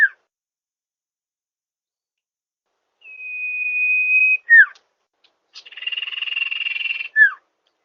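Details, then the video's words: Common iora used as a lure for wild birds: after silence, a long steady high whistle drops into a quick falling note, then a rougher, buzzier drawn note ends the same way. "Suara pikat burung Sirtu/Cipoh Suara jernih mantap"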